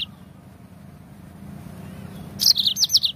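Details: A yellow-fronted canary, used as a stimulus for singing birds, gives one quick burst of five or six sharp, high chirps near the end after a long near-silent stretch with low rumble.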